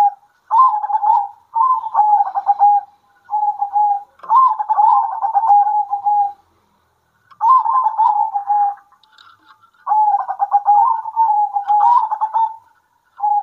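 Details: Zebra doves of a local strain calling back and forth at midday, a steady series of pulsed, rolling coos in phrases about one to two seconds long, separated by brief pauses.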